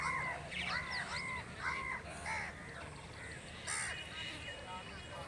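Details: Crow calling naturally: a run of harsh, nasal caws, about two per second at first, then slowing with short gaps. A low background rumble and one sharp click are also heard.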